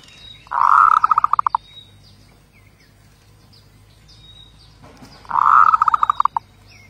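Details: Zebra dove repeating its song twice, each a rolling coo that dissolves into a rapid run of staccato beats, about five seconds apart; thin high bird chirps in the gaps.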